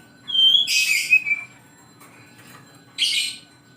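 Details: Oriental magpie-robin's morning song: a clear high whistle leading into a dense harsh burst with a falling whistled tail, then a second short scratchy burst after a pause.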